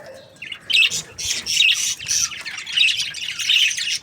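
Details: Budgerigars, a happy breeding pair, chirping: squawky, scratchy chirps and short warbled notes in uneven bursts, with one lower note near the start and brief quiet gaps.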